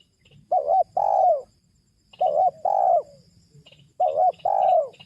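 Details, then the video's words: Spotted dove cooing, used as a lure to bring wild doves down: three paired phrases, each a short low coo followed by a longer, falling coo, spaced about 1.7 seconds apart. Faint high chirps from small birds are heard behind. "cara pikat menurunkan tekukur huta"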